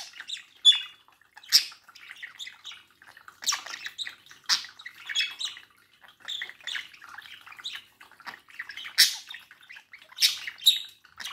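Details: Caged pet budgie chatting with its reflection in a mirror: a steady stream of thin, scratchy twitters and short whistles, broken by brief louder squeaks.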